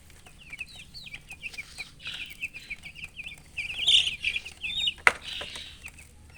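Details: Young chicks giving strings of high, bouncing peeps that grow louder and denser midway, with one sharp click or tap about five seconds in.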